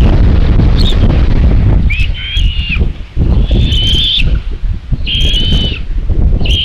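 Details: Common buzzards on their nest in Tiszalök, Hungary, 27 May 2022 near 12.23, with the mother bringing another chick for lunch. Piercing whistled calls, each about half a second long, repeat at irregular intervals over loud low wind noise.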